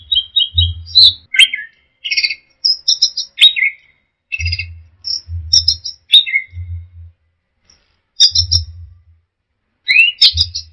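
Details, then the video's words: Orange-headed thrush delivering teler song as short separate phrases of high chattering notes, buzzy clusters and quick downward slurs, each followed by a pause, with low thudding sounds. "Suara Burung Anis Merah Teler"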